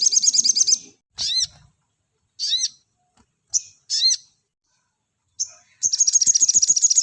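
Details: Sogon singing in 'nembak rapat' fashion as a master for cage-bird training. A brief rattle opens, then come scattered sharp, upward-curving whistled notes. A fresh run of quick, harsh, high pulses follows.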